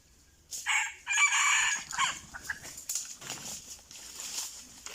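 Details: Red junglefowl, lured with a decoy, gives a strident crow in two drawn-out phrases with a short tail note, then rustling, scuffling sounds and faint clucking continue.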